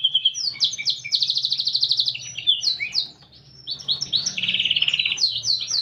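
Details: Gacor canary with a unique cengkok song: rapid trills alternating with sharp downslurred chirps, a brief pause near the middle, then a bright rolling trill and more varied notes, over a soft low background hum.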